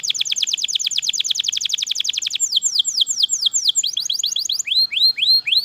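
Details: Canary singing nonstop: a very fast even trill of falling notes, switching to slower swooping downslurred whistles, then rising upswept notes, all bright and high with no pauses.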